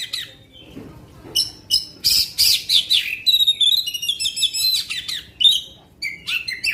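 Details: Kacer, black-winged magpie-robin, in long-shot 'tembakan panjang' song used to provoke other magpie-robins: clipped whistles leading into loud bursts and a long rapid run of stacked trilled notes.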